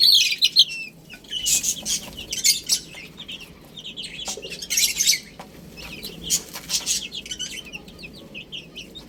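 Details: Chicks eating spinach: clusters of high, thin chirps alternate with loud bursts of pecking and scratching, then quieter stretches of scattered peeps.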